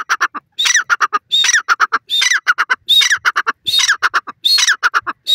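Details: Grey francolin calling, Dakhni and Irani teetar type: strident whistled note then a string of staccato harsh notes, the phrase cycled rhythmically and continuously, loud and close, with silence between bursts.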